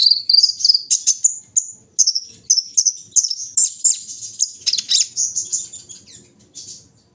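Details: In early morning air, a kolibri ninja pours out a fast stream of high chirps, about three notes a second, that climbs slightly and then tails off into softer twitters.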